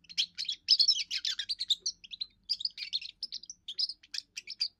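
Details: Young European goldfinch giving its first song, said to defend territory and attract females: a continuous run of quick twittering, buzzy and liquid notes high in pitch, packed into tight bursts with brief gaps, no other sounds.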